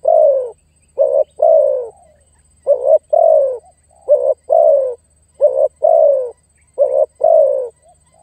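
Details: Spotted dove lure sound meant to call in and press a rival bird. Soft, low cooing runs as repeated pairs, each a brief note and then a drawn-out, gently descending coo, about every one and a half seconds.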